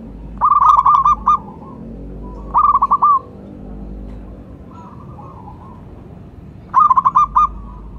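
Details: Zebra dove, local type, calling as a lure for other doves. Three short bursts of quick, rippling, mellow coos come about two to four seconds apart. A faint softer coo can be heard in between.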